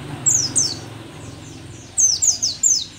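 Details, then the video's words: Rare Merapi dakun mountain white-eye, old but still in full voice. It gives two high descending notes, a pause, then four quick thin down-slurred whistles in a tinkling run. "pleci merapi tak kan pernah ingkar janji, tua tua gacor"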